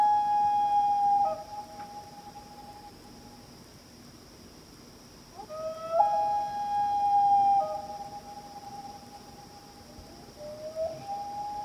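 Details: A loon pair calls across Washington Pond in Maine under a night sky. A held wail trails off, then silence follows before a new wail swells up in a step and holds for several seconds. Another soft wail begins near the end. A thin high hum continues.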